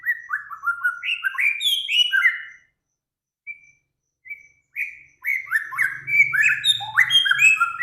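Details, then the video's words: Caged songbird master recording of Samyong, Kancilan Flores and Garugiwa song for training cage birds: quick slurred whistled notes sliding down and up in fast runs, a brief near-silent pause with single whistles, then dense busy warbling over a faint low hum. "Burung Samyong, Kancilan Flores, Garugiwa Gacor"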